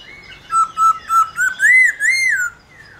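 A laughingthrush sings loud, clear whistles: about six quick notes that climb, slur and fall, building into a richer rising phrase.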